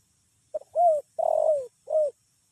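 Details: Spotted dove giving its drowsy-sounding call, in the kuk 1 kuk 2 style; a short soft note followed by three low, hollow coos, the middle one longest and slightly descending.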